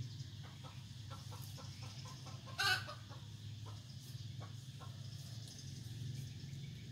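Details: F1 red junglefowl decoy bird, Vietnam: a series of soft, evenly spaced clucks broken by one brief, loud harsh call midway, all over a constant low mechanical hum.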